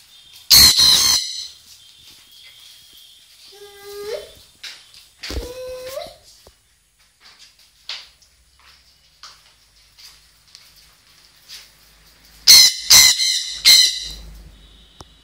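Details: A single red-factor sun conure gives loud, harsh, piercing screeches in short bursts.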